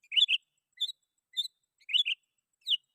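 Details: Sooty-headed bulbul song for calling rivals and luring wild birds; five short whistled bursts, some rolling double notes, spaced about half a second apart.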